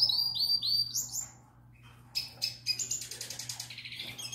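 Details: Young breeding-season canary singing for a female: a run of repeated rising whistled notes, a short pause, then quick rattling trills and buzzy rolls, with a constant low hum in the room.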